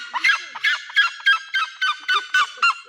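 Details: A male Red-legged Seriema at Bridlington Animal Park, Yorkshire, UK, throws his head back to give his loud alarm call: about eight harsh, yelping, gull-like notes, roughly three per second, in a steady, urgent run.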